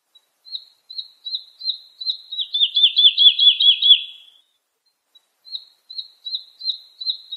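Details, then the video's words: Lark singing for chicks to copy: evenly spaced thin notes build into a loud fast run of slurred chirps, then after a pause the measured single notes resume, roughly two per second, in a clean recording. "تغريد الولوال لتحفيظ الفراخ - chant d'alouette"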